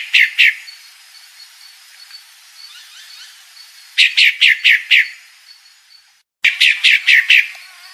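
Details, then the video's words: Female pale-breasted thrush: two harsh notes, a quiet gap, then two quick series of five descending raspy chirps, cut briefly by a silent break. "Fêmea Sabiá Branca Barranqueira Chamando"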